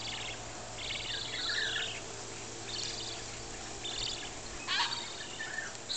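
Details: Buff-banded rail with two chicks at Urunga, New South Wales: thin, high squeaky chirps and twittering bursts come at irregular intervals over a low, steady background hum.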